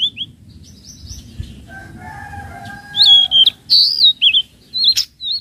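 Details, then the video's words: Spotted flowerpecker (tledekan laut) lure calls meant for training untrained birds: quick high whistles, a soft lower drawn-out note, then a burst of loud thin slurred whistles and chips. "Pancingan Bunyi Tledekan Laut trotol Cocok Untuk tledekan Bahan"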